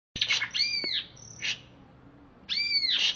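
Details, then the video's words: ['Greater green leafbird, caged, originally from Alas Purwo forest in Banyuwangi, singing chattily right after a bath: bright whistled notes and arched, ringing two-tone slurs, bursts separated by a short pause.'] "Cucak Ijo Alas Purwo Cerewet"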